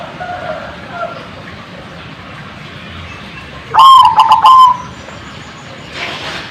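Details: Zebra dove call used to prompt other birds to reply: one loud burst of quick, staccato notes ending in a short held tone, after a quiet stretch with faint distant chirps.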